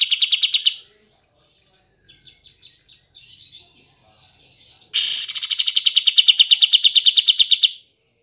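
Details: Kapas tembak bulbul singing, played to coax silent birds into song: a short buzzy rattle, then scattered soft notes, then a long loud run of rapid, evenly repeated buzzy pulses lasting nearly three seconds.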